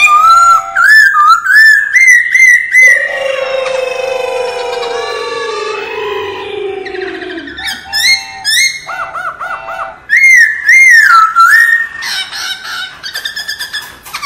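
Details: Forest-style laughingthrush song used to train caged birds: loud rising and falling whistles, a long smoothly descending tone, then bursts of quick chattering notes and more bright, looping whistled phrases.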